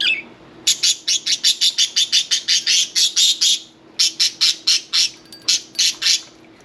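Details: Bathing pet budgerigars pour out a rapid stream of short, high, clipped chirps, roughly four a second, with one brief pause midway.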